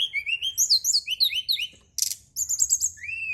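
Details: Brown-chested jungle flycatcher song, meant as a nighttime lure: fluid rising and falling whistled notes in a fast sequence, one sudden harsh rasp, then bright chirps and a final upslurred whistle.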